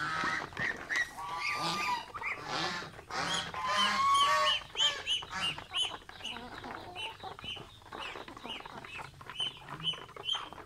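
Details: Pet geese eating mango trade loud harsh honks that give way to fast, softer chattering notes, repeated around three times a second toward the end.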